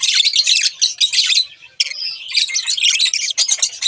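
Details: Pet budgerigars, a pair, in busy harsh chatter with rapid chirps, a short pause midway, then a whistled note and more scratchy warbling.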